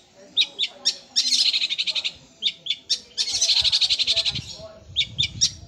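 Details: Long-tailed shrike singing sparrow-like phrases with rolling bursts. A few scattered sharp chips lead into two longer dense buzzy rattles, followed by more isolated high notes over a faint low background.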